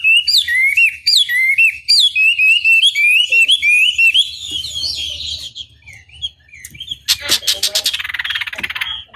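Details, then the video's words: Chinese hwamei song used as a long training lure to make rival birds respond: a run of quick repeated whistled phrases, each sharply up-slurred, then fainter twitters and a burst of dense rattling notes near the end. "Pancingan Masteran Wambi Durasi Panjang Efektif Pancing Lwan Agar Nyaut Emosi Gacor"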